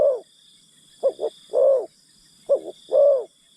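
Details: Spotted dove acting as a decoy to coax wild birds from the forest; repeated low coo phrases, each a short double note followed by a longer rounded coo, given about every one and a half seconds, with a steady high hum behind.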